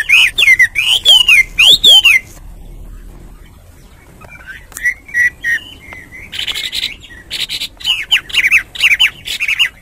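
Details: Hwamei song in bursts. A few loud swooping whistles open, then a quiet pause with softer notes, then another run of rapid, bright warbling.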